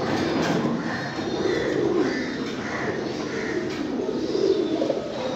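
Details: Low, rolling coos from a group of domestic fancy pigeons overlap throughout, joined by short mid-pitched chirping notes repeated at intervals.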